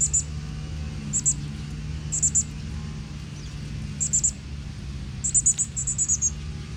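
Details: Northern cardinal nestlings fed by their father in natural Texas woodland; sharp high chirps in small clusters, ending with a quicker run of several notes, over steady low background noise.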